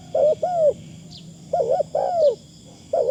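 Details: Luring call of a decoy Spotted Dove, light 'karom' phrasing. Soft wavering coos pair with longer slurred notes that fall at the end, about two phrases in three seconds, while a faint high hum runs throughout.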